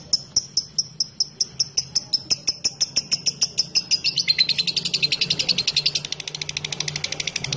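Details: Lovebird ngetik ngekek: a steady train of crisp ticks for four seconds that quickens into a dense, shrill, trilling chatter, with a low background hum.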